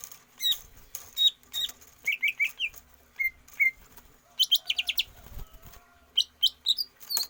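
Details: Greater green leafbird, trained for stamina without free-flight exercise, sings a varied, broken phrase of sharp chirps, quick triplets of whistled notes, and high trills, with short gaps between bursts.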